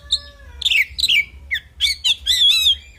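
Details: Short burst of oriental magpie-robin fighting song: a thin whistle, then harsh scratchy notes and a rich warbled phrase with quivering, wavering tones.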